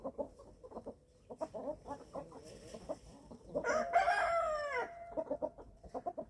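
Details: Eleven-week-old chicks feeding on a small German family farm: rapid soft clucks, then a louder drawn-out harmonic call falling in pitch lasting about a second, before the clucking resumes.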